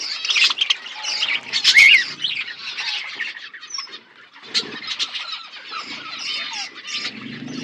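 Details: Budgies kept in an outdoor aviary giving busy chirping chatter: many overlapping high twittering notes and short squawks, loudest early then softening, with quieter scattered chirps toward the end.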